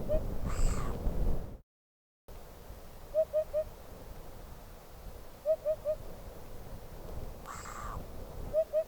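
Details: Eurasian hoopoe (Upupa epops) singing in the wild: soft, low, hollow "oop-oop-oop" triplets about every two and a half seconds, over low rumbling background noise and a couple of brief hissy bursts.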